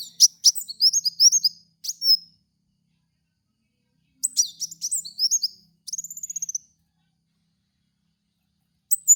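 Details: Kolibri wulung (black sunbird) lure song for training cage birds: bursts of high, sharp twittering chirps and a quick rising trill, separated by silences.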